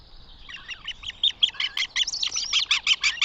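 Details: Northern goshawk near its nest in Tartu, Estonia, 2 June 2025, giving a fast, uneven chatter of harsh clipped notes, nearly three per second, building in loudness.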